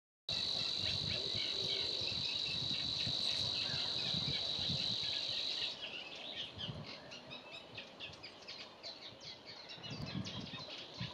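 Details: Savi's warbler at Gremandlweiher: a steady, high, insect-like buzzing reel held for almost six seconds, then stopping and leaving soft background rustle and low noise.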